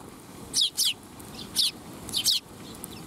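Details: Eurasian tree sparrows coming to be fed at a shrine on 12 July 2021, giving sharp, high, falling chirps, often in quick pairs, spaced through a few seconds over faint background noise.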